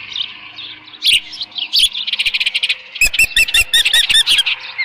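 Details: Osprey calling at its nest on 13 June 2018 around midday, leftover fish present: a few scratchy chirps, then a fast run of loud, shrill, arched whistled notes, about six per second.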